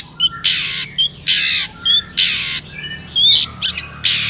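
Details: Harsh, grating notes from a long-tailed shrike used to lure others into song, about five broad rasping bursts spaced half a second apart, with faint thin whistles between them.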